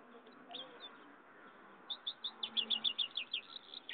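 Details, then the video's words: Goldfinch and canary hybrid singing: after a quiet start, a quick run of bright, high chirped notes repeated several times per second, growing louder toward the end, over a steady low hiss. "pintagol jau"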